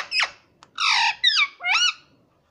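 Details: Talking pet rose-ringed parakeet, known for saying "mummy papa", gives a harsh falling squawk, then a buzzy note and two bending, voice-like syllables in quick succession, indoors.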